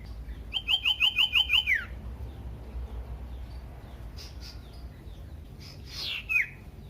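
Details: Common iora song used as a lure to provoke other caged ioras into singing: a rapid series of seven repeated whistled notes near mid pitch, ending in a falling slur, then faint chirps and a single hooked whistle.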